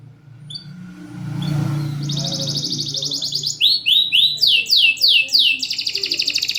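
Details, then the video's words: Reliable caged canary with a loud, tightly paced song, used as a singing tutor: low murmuring noise at first, then a steady high trill breaking into repeated rising swept notes and a renewed rapid trill. "PANCINGAN KENARI MACET || JEDA RAPET || SUARA LANTANG || SUARA ASLI KENARI JUARA."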